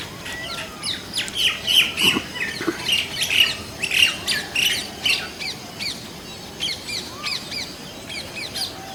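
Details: Indian common mynas (Acridotheres tristis) give a busy stream of harsh chattering notes, whistles and squawks, one or two a second, with overlapping callers.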